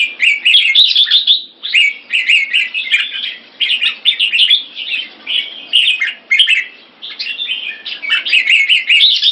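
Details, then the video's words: Caged red-whiskered bulbuls during training singing lively, warbling phrases of bubbly whistled notes in bursts of one to two seconds, with short pauses between. "นกหัวจุก Secret Weapon (SOLD) vs Knightrider - Keke Training"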